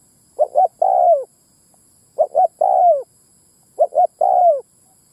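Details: Spotted dove lure call to draw males and females, three phrases of two short coos then an extended, descending coo, each about two seconds apart in stillness.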